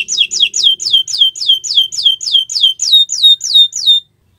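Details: On a Friday morning a canary sings a steady series of bright, swooping whistled notes, each falling in pitch, repeated about three times a second before stopping abruptly.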